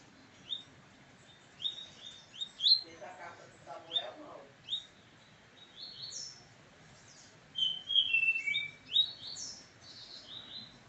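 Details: A pet brown-plumaged ('pardo') Double-collared Seedeater sings face to face with another, in quick, irregular bursts of sharp, high chirps and slurred whistles, some sliding downward; a short, lower rustle or voice-like murmur interrupts early on.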